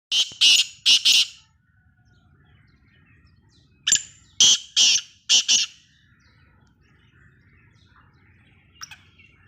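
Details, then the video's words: Black francolin, called kala tetar or Sindhi tetar: a loud harsh grating call of grouped rasping notes, two bursts followed by a pause and a longer run of four to five notes, in quiet surroundings. "Kala tetar / tetar / black francolin / tetar ki Khoraak / kalay tetar ki Khoraak"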